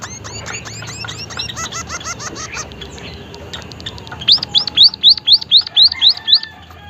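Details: White-headed munia, said to be chatty with a strange voice: a run of soft high chirps and clicks, then a clear burst of about eight sharp, thin, high up-and-down notes at a steady, quick pace.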